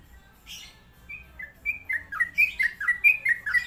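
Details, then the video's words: Sooty-headed bulbul starting softly with a few sliding whistles, then building into a louder, quicker string of bubbly chirps about four per second. "KICAU TRUCUK DJAWARA"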